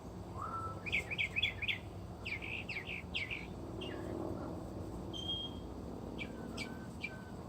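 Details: Northern mockingbird singing outside at an animal refuge where many reside: a rising whistle, then groups of repeated sharp chirped notes, a brief pure whistle and scattered clicks, with a faint low hum beneath.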